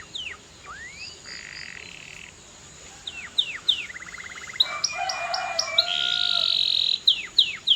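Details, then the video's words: Canary song, rather quiet, with scattered curved whistles, a low-pitched short trill, buzzy sustained tones and bright chirps toward the end. "CANARY GOES CRAZY! 🔥 Powerful Singing Sound That Works"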